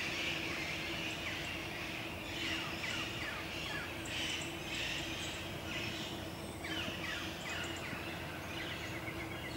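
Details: Several wild Rose-ringed parakeets in Wiesbaden, Germany, give harsh, grating screeches in quick overlapping bursts throughout, over steady traffic rumble and a low hum.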